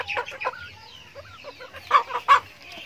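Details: Backyard chickens at feeding time, close short clucks and a few quick whistled slurs, ending in two loud abrupt squawking clucks about a third of a second apart.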